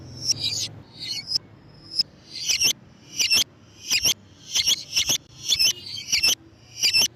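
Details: Lure sound for catching lovebirds: a busy run of shrill, squeaky chirps and harsh twittering bursts, repeated roughly every half second, high-pitched throughout with a quiet low hum underneath.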